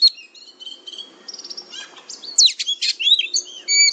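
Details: Oriental magpie-robin fighter song for training: high thin steady whistles and rapid trilled ticks, then a loud burst of twisting chirps.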